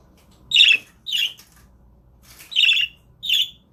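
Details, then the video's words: Pet budgerigars in a home room; four loud buzzy squawking chirps in two pairs, each brief and harsh, with quiet room hum between. "Webcam Live stream to make your budgies start singing"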